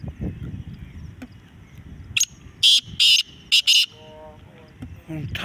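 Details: A Black francolin (kala teetar) in a calling contest gives a quick run of five loud, harsh, grating notes, with a low murmur and rustling underneath.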